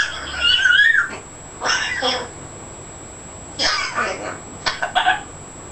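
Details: Fourteen-month-old young African grey parrot kept indoors speaking new words: a wavering whistled phrase opens, then several separate speech-like syllable bursts spaced by quiet gaps, with a steady high electronic hum throughout.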